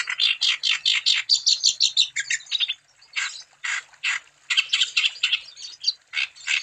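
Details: Lively wambi song meant to stimulate other wambi to sing: bursts of harsh, buzzy chirps and scratchy notes in quick runs, broken by a short lull after two seconds, then resuming in uneven groups.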